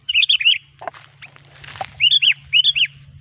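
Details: Sooty-headed bulbul singing as a trapping lure: loud, rounded, slurred whistled notes in quick groups of two or three, with scratchy rustles and a clicking sound between phrases over a low hum.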